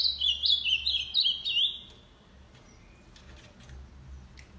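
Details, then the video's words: Ultramarine grosbeak, a tournament bird, singing: a quick run of about six high, slurred whistled notes that rise and fall over under two seconds, followed by faint scattered chirps and a low background hum. "Azulão cantando muito"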